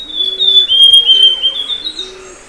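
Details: Amazonian grosbeak (Cyanoloxia rothschildii), song.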